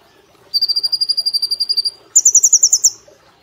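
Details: Caged brown-throated sunbird singing actively in the 'nembak platuk cililin' style, recorded as a master track for training cage birds: a rapid trill of about sixteen sharp, high notes, then a higher, faster burst of about ten notes.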